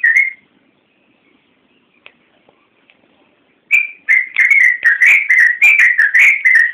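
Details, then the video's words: Yellow-vented bulbul song on a training recording for songbirds. One whistled note, a near-silent pause with soft clicks, then a fast, bubbling stream of fluty slurred notes. "Suara Burung Trucukan Masteran Trucukan Gacor Full Isian Kicau"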